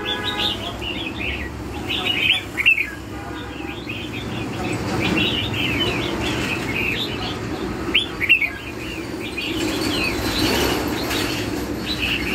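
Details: Red-whiskered bulbul song of the lân hầu bò style, with a run of chirpy, warbled whistles over a constant low hum and distant voices. Louder phrases break out near the start and again around the middle.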